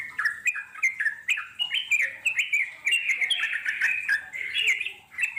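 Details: Sooty-headed bulbul singing in the wild, played to prompt wild birds to answer; a rapid stream of bright, bubbly chirping phrases, rising and falling, with scattered short high ticks.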